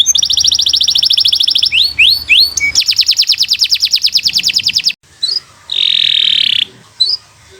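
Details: Canary song intended as a master recording to teach other birds: a dense high trill, a few sweeping whistled notes, another fast rattling trill, then harsh buzzy bursts separated by short pauses.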